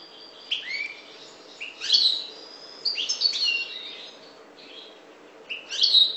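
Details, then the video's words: Short separate bursts of bright, rising chirps and thin whistles from a parva goldfinch of the Maghreb, each phrase about half a second long with quiet gaps between. "Chardonneret parva maghreb"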